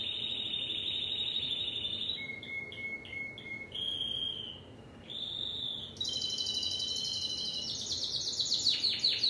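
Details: Timbrado canary song: a steady ringing roll, then a slower pulsed series of notes and short mid-pitched tours. It finishes with a loud, bright, rapid trill and descending strokes.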